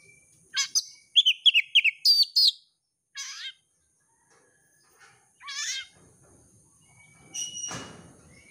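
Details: Oriental magpie-robin, a champion contest bird, used to provoke another bird into song: a fast run of whistled chirps, then descending warbled phrases, ending in a harsh noisy rasp.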